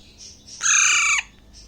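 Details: Young hand-fed Alexandrine parakeet, roughly six weeks old, from Bangladesh, calling while eating grapes. A single grating screech of just over half a second breaks off abruptly, with faint soft sounds before and after.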